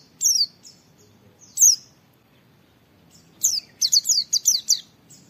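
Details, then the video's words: Oriental white-eye master recording of wit wit calls: two isolated high falling whistles, then a quick series of six sharp descending wit notes near the end. "Masteran Pleci Nembak Wit Wit Mudah ditiru, semua pleci terpancing ikut Nge witwit"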